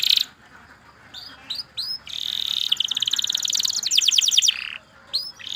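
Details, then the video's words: Canary singing: bursts of high chirps, then a loud sustained trill of rapidly repeated notes for about two seconds, ending in a few short chirps, against a faint background hiss. "KENARI Gacor PANJANG Cuit Cuit EMOSI"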